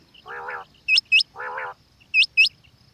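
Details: Calls of a female quail: two harsh, nasal, buzzy bursts alternate with pairs of clear, sharply hooked upslurred whistles, with faint background chirping throughout.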